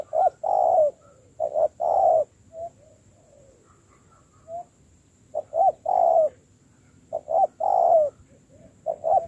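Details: A spotted dove in decoy training coos in two bursts of low paired and tripled notes, separated by a quieter stretch of soft, faint coos.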